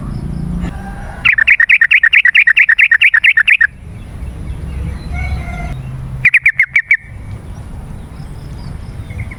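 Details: Yellow-vented bulbul played to lure wild birds in forest or garden: a long rapid chattering rattle lasting over two seconds, then a shorter burst of the same quick notes, faint hum beneath.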